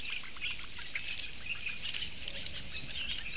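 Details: Four small Eurasian bittern chicks begging for food on 16 May 2017: a steady stream of short, high chirps overlapping continuously, with a faint low rumble beneath.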